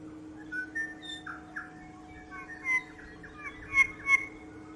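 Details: North Island kōkako singing its haunting song in the early morning on Tiritiri Matangi Island; sparse clear whistled notes near the middle register, some sliding, with brighter higher notes toward the end over a steady low hum.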